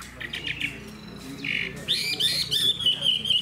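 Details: A caged, fanned-tailed Hwamei gives short bright whistles, then a sustained high warbling phrase with quick modulations, over a low background hum.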